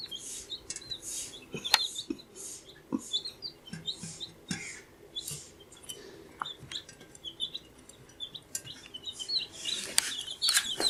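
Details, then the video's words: Young chicks, 14 days old, peep constantly in a crowded chorus. Shrill, flicking chirps overlap rapidly, growing denser toward the end, with frequent sharp clicks and pattering or scratching sounds throughout. "Baby Chicks Chirping Sound"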